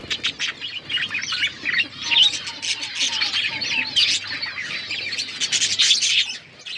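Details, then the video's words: Group of budgerigars chirping: rapid, rhythmic chatter of scratchy high notes, some squawky peaks, with a faint whistled tone and soft low hum in the background. "Budgies chirping sounds make me happy"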